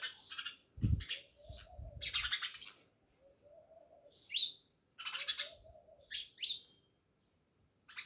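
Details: A flock of house sparrows near a village house at Jamnagar chirping in clustered bursts with short gaps, some notes sliding downward, alongside low thumping knocks early on.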